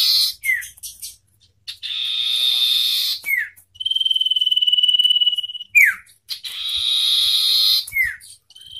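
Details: Song contest of a wild common iora against a hand-raised bird. Harsh buzzy phrases alternate with quick descending slurs and a long even pulsed trill, repeated in a back-and-forth pattern.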